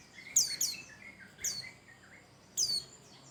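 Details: Pleci Bustomi white-eye singing loudly as a lure for other birds. Quick high downslurred chirps are layered over softer, lower warbled notes, with a final pair of shrill falling notes.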